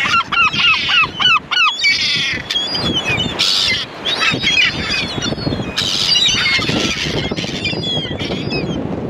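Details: Gulls calling: a rapid series of loud, rising-then-falling yelping notes repeated about three times a second, then a dense overlapping chorus of many gulls with higher squeals and a steady rushing background.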